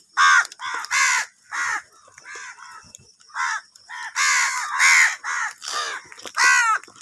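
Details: Several angry crows squabble over food, producing a rapid, overlapping stream of coarse, nasal caws, roughly two per second, with varying loudness.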